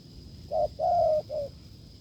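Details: Wild spotted dove answering a decoy in Vietnam, cooing strongly: a three-part phrase of a short note, a long drawn middle note and a short final note, over a steady faint electronic whine.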